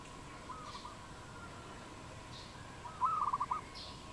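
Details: A wild dove calls in Cambodia on 22 April 2020. After a long stretch of faint hum, a single burst of rapid, pulsed coo notes arrives near the end.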